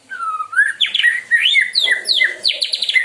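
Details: Murai Medan, a White-rumped shama with a very melodious and loud voice, sings a rich, continuous phrase of fluty sliding whistles that rise and fall, ending in quick high chattering notes.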